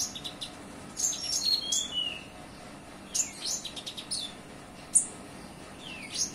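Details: Olive-backed sunbird delivering a cililin-filled song: quick scattered bursts of shrill chirps, thin descending whistles and clicky notes, separated by short pauses, with faint low background noise.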